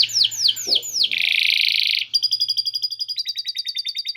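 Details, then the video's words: Singing canary giving a long 'gacor' song filled with lovebird 'ngekek' chatter. Sweeping downward whistled notes lead into a harsh buzzy roll, then fast clipped trills repeated several times a second. "Kenari Gacor Panjang Isian Lovebird Ngekek"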